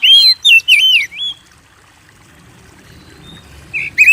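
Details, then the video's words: Oriental magpie-robin singing, recorded to lure kept birds into song: a rapid string of loud looping whistles over the first second, a pause of quiet background, then another bright whistle starting at the end. "Pancing Burung Kacer Gacor"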